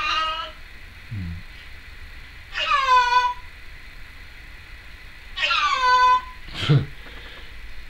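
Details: Female Timneh African grey parrot, a household pet filmed indoors in 2012, producing two long harmonic calls that descend in pitch like a cat's meow, with a low grunt and a brief sharp note between them.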